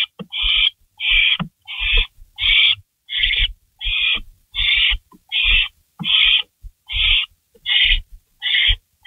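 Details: Barn owl at its nest at 3:53 AM on 16 May 2012 after a rabbit is delivered, one bird shredding and gulping the prey; a steady run of rasping hisses, about eighty a minute, with light scuffling.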